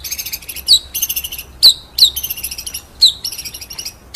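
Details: Murai batu, or white-rumped shama, giving nembak-style song: loud, sharp downward-slurred whistles spaced irregularly, with soft twittering filler between them.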